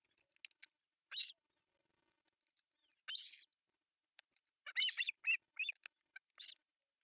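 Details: Quieter begging from three osprey chicks on a camera-watched artificial nest in Finland during breakfast feeding, July 1, 2024: scattered high squeaks building into a cluster of sharp chirps near the end.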